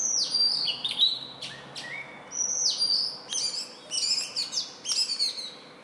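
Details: Indian robin, a small black and white bird living near human homes, singing as it does each morning and evening; sweet high whistled phrases with falling and rising notes in bursts, faint steady background hiss.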